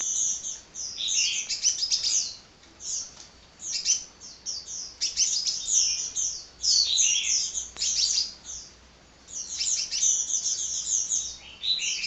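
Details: Sunbird, locally kolibri, pouring out continuous song: dense clusters of very high, rapid chirps and sharp ticking notes in bursts of one to two seconds, with brief quieter gaps.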